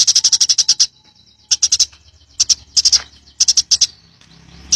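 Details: Wild-style ngalas singing of a house sparrow, kept as tutor material: a quick run of about eight sharp high chirps, then short clusters of two to four chirps separated by brief silences.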